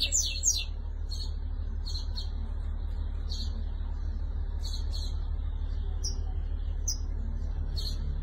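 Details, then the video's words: Tunisian European goldfinch, called shantour, 2020: sparse, short, high chirps and tinkling notes spaced roughly a second apart, separated by pauses, over a constant low hum. "جغل تونسي شنتور"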